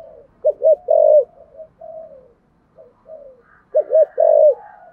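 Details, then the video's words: Spotted dove in the 'thổ sấm' voice style, calling with two closing notes: a pair of short looping coos and a longer falling coo, softer notes, then the same phrase repeated. "cu gáy giọng thổ sấm bài bản đủ bài hay gáy gọi hai hậu"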